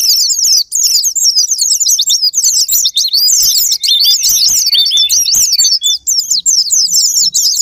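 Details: Used as a sparring lure to get a pleci singing, this Japanese white-eye song pours out as a long, continuous, high-pitched warbling twitter of rapid slurred notes, hardly pausing.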